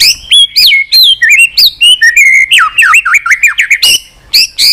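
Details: White-rumped shama singing nonstop in a varied repertoire with unusual voices, tail-flicking on a perch. Clear whistles fall from high to mid pitch, followed by a chain of rapid looping notes and a few sharp high calls after a brief pause.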